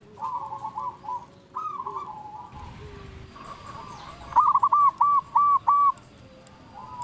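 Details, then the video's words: Local-strain zebra dove, a prolific singer calling out rivals, gives a loud burst of five quick, even cooing notes after quieter mixed cooing and faint background bird sounds. "Perkutut lokal gacor Ahlinya memanggil lawan bikin burung perkutut gacor nyaut"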